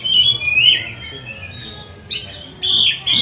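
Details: Oriental magpie-robin lure song for training magpie-robins during lockdown; a short whistled slur and a buzzy note, a pause, then clipped sharp notes, with a soft low hum in the background.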